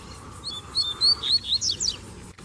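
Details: Male Double-collared Seedeater singing among other males with a female present: a fast phrase of about eight clear, high, slurred whistles, each note rising or falling, ending in sharper chip-like notes.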